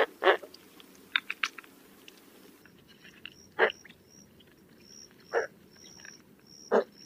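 Roseate spoonbill giving four low, harsh guttural grunts spaced one to two seconds apart, with faint high chirps from other birds in the background.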